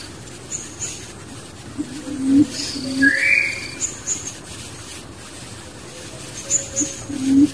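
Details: Barbet with its young in the wild, uttering short, low hollow notes in small clusters, one rising whistle near the middle, over a continuous hissing background.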